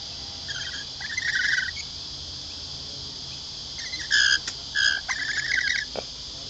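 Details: At Lane Cove Camping Ground near Sydney, Australia, hand-fed lorikeets utter scratchy, nasal squawks, first a pair and then a quicker cluster of harsh bursts, over a steady high-pitched insect drone.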